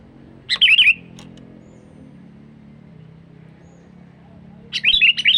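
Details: Sooty-headed bulbul call used to draw in wild birds, one quick bubbly whistled phrase, then about four seconds of low droning hum before a second burst of warbling notes begins.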